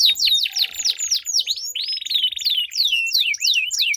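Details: Melodious canary duel as a song lure: quick high downswept notes, a long buzzy roll, then a second drawn-out trill followed by crossing swooping whistles from two birds.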